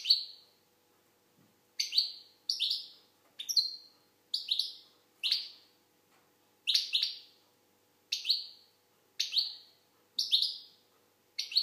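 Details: Algerian goldfinch uttering a long series of crisp, high, falling twitters, often in quick pairs, about ten bursts overall against near silence and a faint hum.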